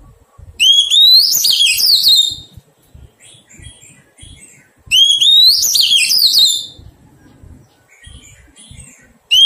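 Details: Wild-caught Oriental magpie-robin during taming: two loud, sweet whistled phrases, each about two seconds long, rising then warbling through high notes, separated by a quiet gap with faint low knocks and background rustle.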